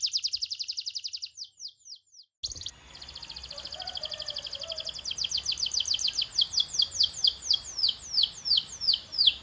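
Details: Canary song, hyper-active singing: rapid rolling trills of falling high whistled notes, broken by a short silent gap, then resuming as a long, steadily louder series of descending sweeps.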